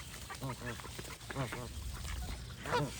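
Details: Goose honks come in short arched nasal bursts, a few in quick succession, then a pause. A louder, higher call sounds near the end. A constant low background rumble is heard throughout.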